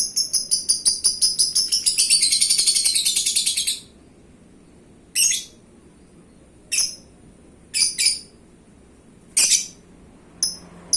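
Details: Pet lovebird, a prized competition-grade bird, kept for contests, singing: a fast run of sharp, high clicking chirps for four seconds, then separate shrill chirp bursts spaced one to two seconds apart.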